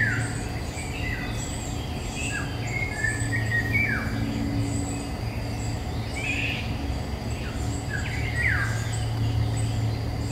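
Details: Eurasian golden oriole singing among woods in May 2021, Nikon Coolpix P1000. A run of short fluty whistles, many sliding downward, comes every second or so. Faint high chirps from other birds and a steady low hum.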